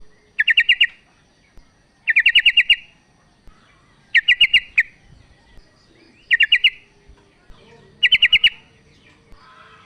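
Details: Female yellow-vented bulbul calling to a male: bubbling bursts of five or six quick mid-pitched notes, repeated about every two seconds with quiet gaps between, in a calm setting.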